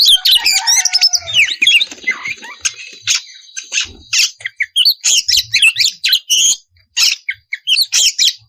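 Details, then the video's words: Oriental magpie-robin, used to stir other magpie-robins into song: rich whistled slurs and trills at first, then a steady series of sharp, clipped chirps and rasping bursts repeated in quick succession. "Pancingan suara kacer ngeplong memanggil kacer bahan lekas nyaut langsung bunyi"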